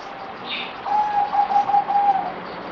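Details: Zebra dove, locally merbok, fourth deworming day, 17 April 2020, delivering a single quick run of about eight even, pulsed coos, preceded by a brief high chirp from another bird and a steady background hiss.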